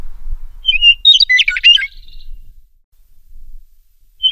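A meadowlark sings one phrase: a couple of clear, flute-like whistles slurring downward, then a fast, jumbled gurgling warble. A new phrase starts at the very end.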